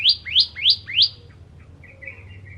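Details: Bar-winged prinia, called ciblek locally, 'kristal' type: four upslurred, ringing notes about three per second, each rising sharply, followed by faint soft twitters.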